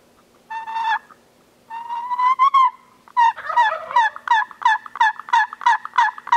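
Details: Gould's wild turkeys on Mt. Lemmon in the Sky Island ranges of southeastern Arizona, annual survey: two drawn-out, nasal calls that break into a fast, rhythmic series of harsh yelps about three per second.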